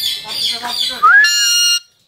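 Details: Alexandrine parakeet, known locally as Sandana parrot, a talking bird said to speak five words. A rough speech-like utterance is followed by a loud, steady, buzzy squawk with stacked tones lasting about half a second, then quiet.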